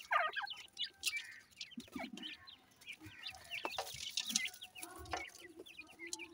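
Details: Young francolin (teetar) calling while they feed: scattered thin piping notes, some bending downward, over low background noise and occasional soft thuds.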